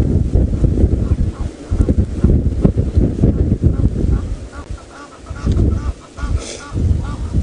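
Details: Egyptian geese at Djuma Game Reserve, Sabi Sand, South Africa, give harsh, nasal honking alarm calls in uneven bursts on a hot afternoon, 5 October 2017, warning of a male leopard drinking nearby while swimming toward him; low wind or engine rumble and a man talking.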